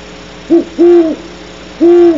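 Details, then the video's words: Nearby great horned owl calling at 2:30 am at Starr Ranch: a brief low hoot, a longer drawn-out hoot, a pause, then another long level hoot, all deep and mellow against a quiet humming background. "GHOW close nearby hooting"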